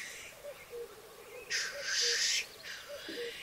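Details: Black grouse (Lyrurus tetrix) at a lek, where males fight and mate: a low, soft bubbling coo rolls along under two loud, breathy hissing sneezes.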